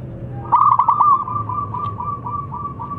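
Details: Local zebra dove, singing well, in a long song used to coax lazy birds: a loud quick burst of stuttering coos, then a long run of soft evenly spaced notes.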